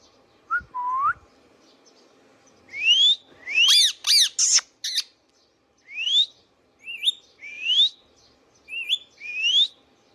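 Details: Indian ringneck parakeet, a pet bird, producing a dense series of rising whistles, some with a short hooked start, interrupted by a cluster of loud rasping squawks, against a soft hum.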